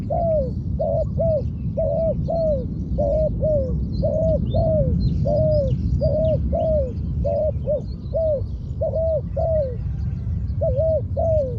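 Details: Spotted dove, a trained decoy bird kept for ground luring, cooing steadily: paired hoarse, humped notes repeated without pause over heavy low-pitched background rumble, with faint higher chirps of other birds.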